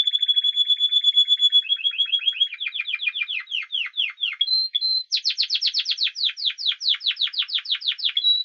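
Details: Spanish timbrado canary song: a long steady high trill, then rapid descending sweeps, a brief held note, and a fast series of loud repeated downward-swept notes, clean with no other sounds.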